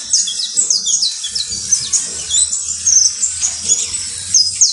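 A saffron finch sings a fast, continuous run of high, sharp chirps and trills, with brief downward-sweeping notes repeated throughout.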